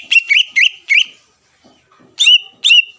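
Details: Greater green leafbird in full song used as a lure to make rival leafbirds sing: four rising, wavering whistles in quick succession, a short pause, then two louder slurred notes.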